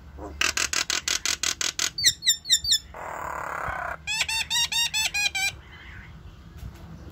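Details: Myna recorded at home, calling to its flock: a fast run of harsh clicking notes, then squeaky chirps, a rough hissing burst, and a series of buzzy, ringing notes repeated about twice a second.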